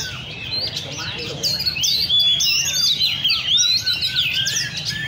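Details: Several Oriental magpie-robins at a songbird cafe in Le Thi Rieng park, Vietnam, sing over each other in rich, varied, high whistles and slurred phrases, with a low background hum and faint chatter.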